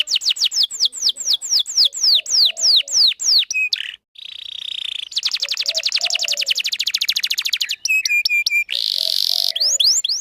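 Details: Long, chatty canary song played to lure a male and train young canaries: quick downslurred notes, a buzzy phrase, a very rapid sustained trill, clipped metallic notes, then a hoarse buzz and more slurred whistles.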